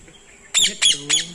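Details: A pair of caged parrots kept by villagers in a small village, making noise: three loud, harsh, grating squawks in quick succession, each about a third of a second apart, over a quiet background.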